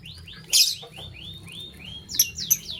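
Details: Morning chirping as green and blue lovebirds scramble for vegetables: a quick series of short, arched whistled notes, evenly spaced, broken by loud harsh shrieks at the start and near the end.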